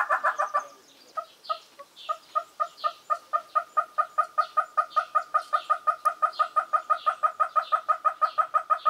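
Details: At Skukuza in Kruger National Park, a ground hornbill chick calls for its parents. A brief loud burst comes first, then a pause, then an even series of clipped, doubled hooting notes, roughly three per second and steadily strengthening.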